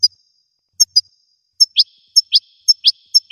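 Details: High goldfinch notes paired with lower downward-sweeping chirps, repeated in a loose rhythm roughly every half second, with a click early on.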